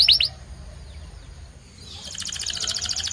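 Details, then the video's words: After a brief high chirp and a quiet pause, a white canary starts a rapid, pulsing trill that continues to the end. "The Best White Canary's Singing"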